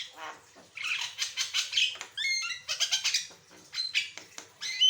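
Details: Asian pied starling in full varied song, used as a master recording to teach and prompt other birds to sing: harsh squawks mixed with clear whistled notes and rapid chattering phrases.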